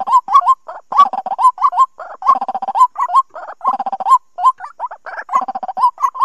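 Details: White-breasted waterhen lure call for 2020 trapping. Clipped nasal notes with upward hooks are repeated in uneven groups, and soft low stuttering grunts come in between.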